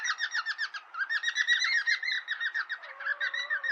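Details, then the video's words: Cockatiels kept as pets, play-fighting in a friendly way, chatter nonstop in quick harsh trills of about four notes a second, ending over a thin steady whistle. "Ｃｏｃｋａｔｉｅｌｓ friendly fight & Talking in own language"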